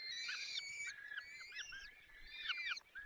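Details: At the nest in the Barycz Valley on 30 April 2020 at 14:28, a male Peregrine falcon feeds chicks. Thin, strained whining notes rise and fall, with several short slurred calls following one another.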